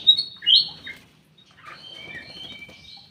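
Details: Ruby-throated bulbul in a private aviary gives two loud, sharp chirps, then a softer run of thin, high whistles and short notes.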